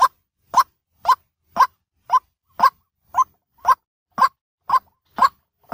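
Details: Daytime lure sound of a white-breasted waterhen: brief, slightly nasal notes repeated roughly twice each second at an even pace, with a quiet background.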